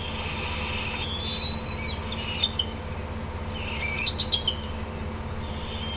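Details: At dusk on 18 June 2016 a bald eagle parent perches on an outer limb at the Decorah nest while juveniles move in. Two groups of high, thin whistles are heard, with a few sharp clicks and a low background hum.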